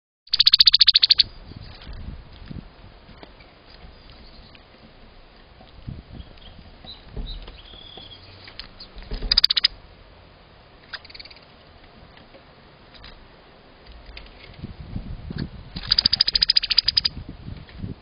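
A female red-winged blackbird gives bursts of rapid, harsh, chattering notes separated by quiet pauses.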